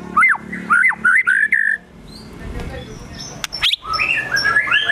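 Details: Agitated white-rumped shama in full gacor emosi, the song filled with imitations of sogon and kunti. Four loud whistled phrases come in quick succession, followed by a hush, a sharp click and a run of rising chirps.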